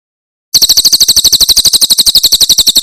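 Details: Javan prinia in 'tembakan' Cililin song style, recorded as tutor material for songbirds: a short quiet lead-in, then a rapid, even string of piercing high chirps, each note crisp and evenly spaced.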